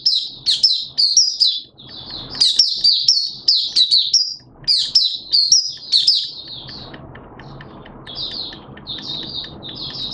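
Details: Malaysian white-eye kept as a hobby songbird, singing 'buka' style on a Sunday, 21 June 2023. It gives loud, high, tumbling warbles in clustered phrases, then a softer stretch with background rumble, then renewed twittering.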